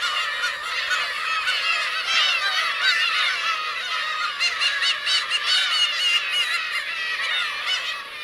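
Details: Many black-tailed gull adults and chicks on Teuri Island's Kurosaki shore, Hokkaido, 17 June 2021, call together in a steady clamour of harsh, wavering mews that overlap without pause.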